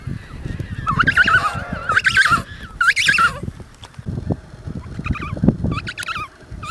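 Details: Adult emperor penguins calling over a crowded Antarctic colony and harsh wind: three wavering, trumpet-like bursts about a second apart, then fainter warbling calls from other birds, with continuous low wind noise.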